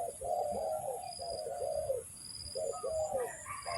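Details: Spotted dove used for luring wild doves during trapping, giving soft, hollow coos in short grouped phrases with brief pauses between them; a steady high electronic-like whine runs through the background.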